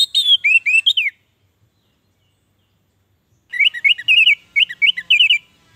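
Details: Orange-headed thrush song for stimulating captive birds to sing; a brief phrase of slurred whistles, a silent gap of about two seconds, then a longer rapid sequence of varied, repeated whistled notes.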